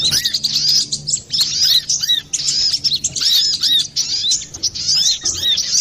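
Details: Brown-throated sunbird in a lively, full song used to lure or train other birds: rapid high thin chirps and twittering notes with repeated downward-curving whistles, dense and continuous throughout.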